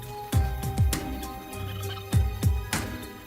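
Orchestral music with deep, booming drum hits over sustained tones; no animal voices.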